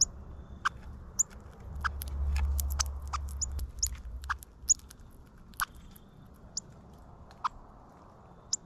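A cardinal gives sharp, high, metallic chips at an uneven pace, about two or three a second, over a low rumble of wind or distant traffic.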